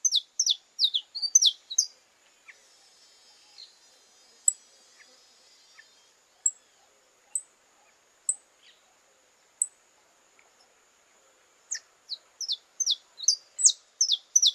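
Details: Saffron finches from Brazil singing in courtship: bursts of sharp, down-slurred chirps at a quick pace open and close the passage, with a quieter stretch of isolated high notes and a steady thin whine between them.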